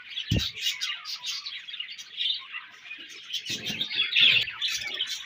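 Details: Budgerigars in breeding season chatter with quick high chirps and warbled twitters, several birds at once, interrupted by a sharp low knock at the start and some rustling.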